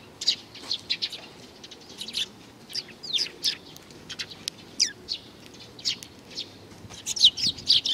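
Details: Bright chirps from a young sparrow come in clusters separated by short pauses, and some notes drop sharply in pitch.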